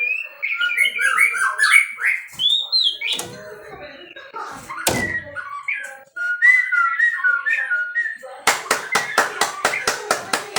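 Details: A captive-bred white-rumped shama sings fluty whistles and quick warbled runs with a few sharp knocks, then a series of loud, evenly spaced clicks near the end.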